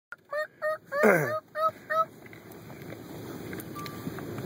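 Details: Angry turkey on the attack giving a short run of five loud, evenly spaced yelping notes with a harsh, sliding squawk in the middle, then falling quiet under low background noise.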